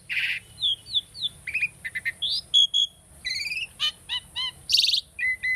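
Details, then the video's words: Tame Asian starling singing for bird training: a varied medley of buzzy bursts, slurred whistles, quick stuttered trills and descending chirps, delivered in rapid succession. "asian starling singing video - starling bird training song"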